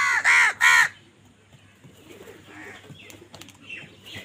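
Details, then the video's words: Two loud, rasping caws in quick succession from crows fighting for food, then quieter chirping birds and faint background noise. "কাকের ডাক Crow Sound Crow ki Awaz Loudly | Crow bird Fight for Food"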